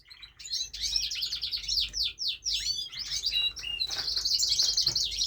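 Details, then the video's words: Pet canary singing indoors: a continuous, rapid stream of high twittering notes, fast downward-sweeping trills and buzzy rolls, ending in a sustained high warbling roll; faint low background hum. "Canary singing, " Buddy" the beautiful canary he loves to sing"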